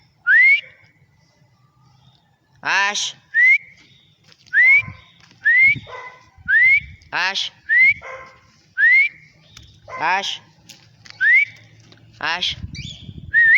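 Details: A free-flying white-faced cinnamon pearl cockatiel in Angeles City, Pampanga, gives a series of short, clear upslurred whistles mixed with harsher rasping calls.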